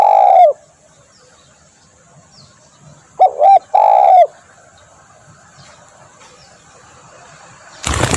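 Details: Spotted dove lure call: the tail of one long coo, then after a pause a double note and a long falling coo. A burst of broadband noise cuts in at the very end.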